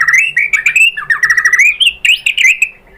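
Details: White-rumped shama singing a lure song to trigger replies from other shamas, a fast continuous stream of bright chirps and short slurred whistles, a few notes climbing higher near the end.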